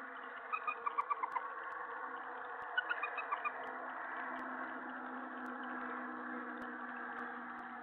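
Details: Owl at night, 3:10 AM on July 31, 2017, during a mouse delivery, the twelfth of sixteen food deliveries that night; two short bursts of rapid, squeaky chittering notes over a steady hum.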